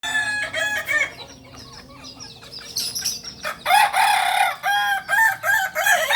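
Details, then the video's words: Kokok Balenggek roosters, the native singing chicken of Solok in Indonesia, at a breeding farm; short harmonic crows start and stop in quick bursts, several birds overlapping, with a louder stepped crowing run near the end. "Ayam kukuak balenggek ayam penyanyi asli solok"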